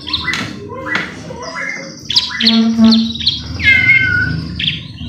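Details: White-rumped shama song used to provoke singing: scratchy bursts, a buzzy nasal note, then a long clear falling whistle, with low hum in the background.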